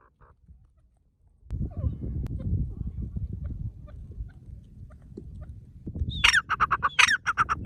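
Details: Happy partridge in the forest breaking into loud calls after a stretch of low rumbling noise: a rising screech then quick clipped notes, twice in close succession near the end.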